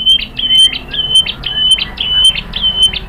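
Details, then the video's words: White-rumped shama song played to lure other shamas into singing: a fast series of high, flat whistled notes, each opened by a sharp upward flick, repeated about twice a second in an even rhythm. "KICAUAN MURAI BATU memancing BUNYI jadi NYAUT GACOR BONGKAR MATERI | PANCINGAN MURAI"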